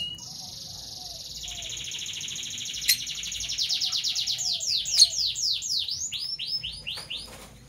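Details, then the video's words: Morning chatter from parblue violet and parblue turquoise Fischer's lovebirds. A long buzzy high trill gives way to a rapid string of downward-slurred chirps, roughly two per second, that grow louder and then fade. "Lovebird Chirping Sounds"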